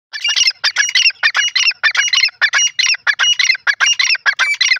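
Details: A grey francolin (teetar) gives a loud, rapid run of harsh, ringing notes. About twenty clipped, squawky syllables follow one another in a steady rhythm against a quiet background.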